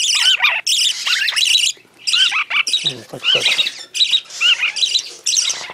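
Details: Young parakeets are hand-fed in a pet shop in Fukuoka, Japan. They give harsh, raspy squawks in rapid, overlapping bursts, nearly nonstop, with a few soft knocks of handling.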